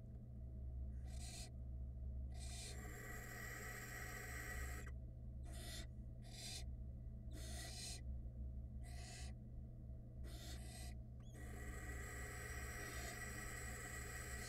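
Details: Barn owl nestlings at a nest box camera, hatched February 2022, calling together: long, harsh, breathy hissing screeches, overlapping and stopping irregularly, over a steady low electrical hum.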